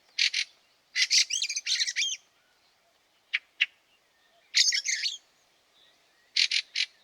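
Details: Fieldfare in the snow at Liepāja, Latvia, March 2023, giving rapid rattling chatter: a double chack, a long grating series, two sharp clicks, another harsh burst, then a final pair of chacks.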